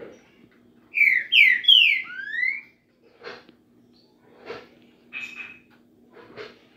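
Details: Green-winged saltator singing: a short phrase of loud, slurred whistles sweeping down and up, then fainter scattered notes and soft knocks; indoor room hum beneath.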